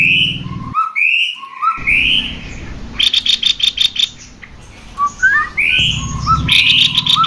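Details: Male and female cucak kopi as a singing lure: whistled upslurs with lower notes, a stretch of rapid staccato chatter, quieter pause, then more whistles and chatter over an intermittent low hum.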